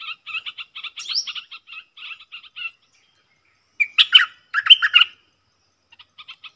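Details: Southern dok taeng bulbul, a wild bird with a big voice countersinging to a caged lure bird it will not approach; quick ticking note trains, then a pause and loud rich warbled phrases in a clear, quiet setting.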